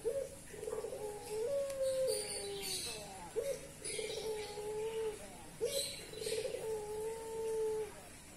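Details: Barbary dove in breeding condition, cooing without stopping: three long, low, mellow coos, each opening with a short rising note and then a drawn-out, slightly wavering hum, separated by brief pauses.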